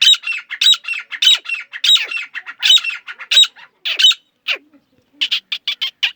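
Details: A grey francolin in Pakistan's jungle, recorded in a hunting context, gives loud, harsh, ringing notes repeated about every half second in a steady run, then a few shorter clipped calls.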